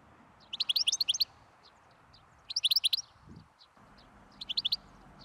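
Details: European greenfinch (Chloris chloris) singing: three bursts of quick, bright twittering notes, each about a quarter-second long, repeated roughly every two seconds over a quiet background.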